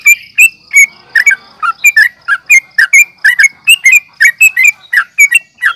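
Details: Yellow-vented bulbul in fighting mood, nggaruda uplik tarung style, meant to provoke other bulbuls: dense burbling chatter, doubled notes rolling along quickly and evenly, backed by a faint continuous high whine.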